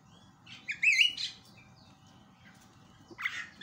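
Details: Javan myna lure call, used to provoke other mynas into calling: a loud, squeaky, twisting chatter followed after a pause by a harsh burst. A low rumbling hum runs underneath.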